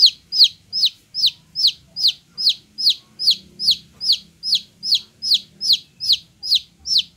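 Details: Golden-coloured chicks peeping: loud, high, downward-sliding cheeps repeated steadily about two and a half times per second, each note sharp and clear over a faint low background hum.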